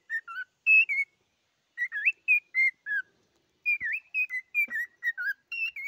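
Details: Short groups of pure whistles from a singing cockatiel, with gaps between phrases; notes rise, dip and fall, one with a marked V-shaped bend, and a faint click is heard in the middle.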